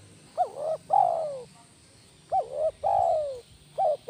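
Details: Spotted dove calling, a bird used as a master recording for training; soft low cooing phrases, a short rising-falling coo followed by a longer, gently descending one, repeated about every two seconds.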